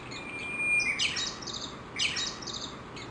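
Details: Japanese bush warbler near Gakushima Bridge in Kawashima, Tokushima, Japan, singing at about 7:30 in the morning beneath a chinaberry tree amid a large feeding flock. A clear level whistle turns into a rapid flourish, overlaid by bright high chirping from other birds.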